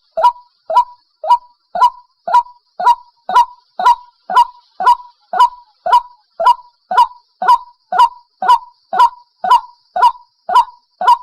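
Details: White-breasted waterhen call used as a trapping lure: clean, evenly spaced, hoarse mid-pitched notes, each with a quick upward sweep, repeated just under twice per second with silence between them.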